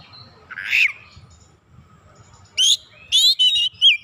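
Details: Oriental magpie-robin singing as a lure, showing off its fill repertoire: one harsh buzzy rasp, a quiet gap, then bright whistled slurs and a looping rising whistle.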